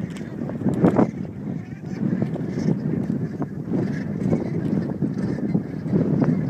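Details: Dark-bellied brent geese at RSPB Frampton, a flock giving low, guttural murmuring calls that overlap into a steady chatter, with a few louder honks standing out near the first second and again toward the end.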